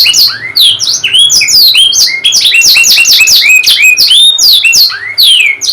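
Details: Canary singing, recording meant to stimulate reluctant or silent canaries: dense, rapid run of high descending whistled sweeps and chirps, closely packed and continuous, with a few lower rising slurs near the start and end.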